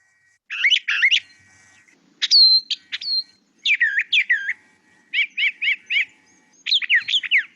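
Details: A Brown Thrasher, a mimic of other birds and noises, sings a varied run of high, rich chirps, slurred whistles and buzzy notes. Most phrases are repeated once or twice before moving on, a new phrase every second or so.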